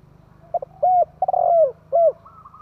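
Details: Decoy spotted dove cooing to excite wild doves: one phrase of a short soft note, then three hollow, slightly falling coos, the second stretched longest, with faint low background rumble.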